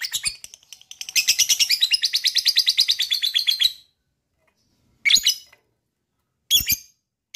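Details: Lovebird ngekek: a quick rattling trill of buzzy notes, about three seconds long, followed by two or three separate shrill chirps; recording meant to get other lovebirds trilling.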